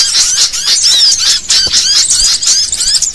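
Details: Bird-catchers' lure of excited sooty-headed bulbuls: tight overlapping squeaky whistles and chirps in loud surges, a crowded high-pitched jumble with brief dips between bursts.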